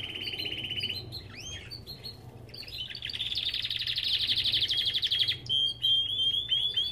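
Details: Aviary Belgian canary giving a short trill, twisting whistled notes, then a long loud buzzy rolling trill and a thin high whistled run, with a steady low hum.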